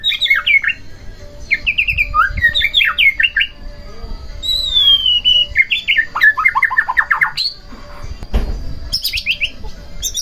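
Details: White-rumped shama singing to stir another shama into song; varied rich phrases of quick descending notes, trills and a long clear whistle, broken by short pauses, with a soft low hum beneath.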